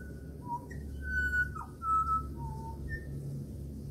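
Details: Australian pied butcherbird, a regular visitor at a house, singing clear, flute-like whistled notes that step between low and high pitches, with a sliding drop in the middle, a melodic phrase of about eight notes over a low background hum.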